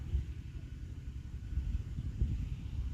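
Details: Deep, uneven low rumble of wind buffeting the microphone or distant traffic, with no calls from any creature.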